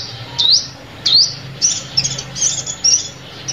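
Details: Sunbird lure call for trapping: two clear upslurred chips followed by a looser series of softer, higher flickering notes, with steady low hum in the background.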